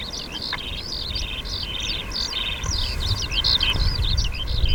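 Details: A Eurasian skylark parent at Cheonsu Bay, South Korea, in summer gives alarm calls to its chick as a rat snake appears: a rapid, unbroken string of high, thin chirping notes, about three a second, over a low rumble of wind.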